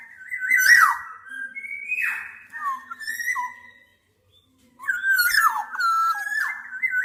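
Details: Black-naped oriole giving rich fluty whistles near one pitch, broken by sharp downward slurs. A longer phrase comes, then a short silence, then a second run of liquid slurred notes.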